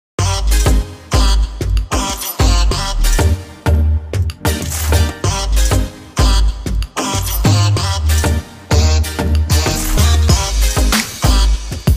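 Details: Loud rhythmic music with heavy bass beats throughout, and no animal sound can be picked out.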